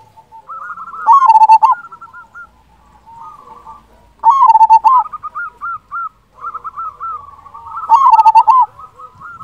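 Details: Local zebra dove song, used to stimulate quiet or stressed doves and to lure birds: three bursts of loud trilled cooing, each followed by a run of softer repeated notes, in a quiet background.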